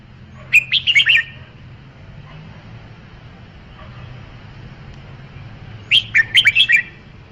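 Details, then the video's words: A red-whiskered bulbul gives two similar phrases about five seconds apart, each a quick string of five or six bright whistled notes, over steady low background rumble. "Tiếng chim chào mào"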